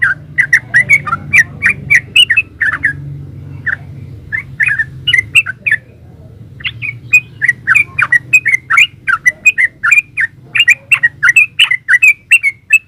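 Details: Long gacor ropel performance of a yellow-vented bulbul, used as training song to prompt other bulbuls to answer: rapid runs of bubbly, warbling chirps, a brief pause midway, then a dense resumed stream over low hum.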